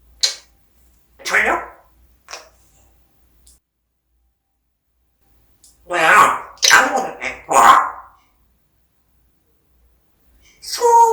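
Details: A pet grey parrot in Korea mimics eating sounds, giving speech-like mumbling and smacking, a short cluster then a longer run of three harsh syllables, in a quiet room.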